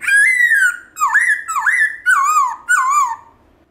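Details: Black-throated laughingthrush in wild-style song for stimulating pet birds: a long clear whistle followed by four rich, wavering notes that dip and rise, each about half a second long.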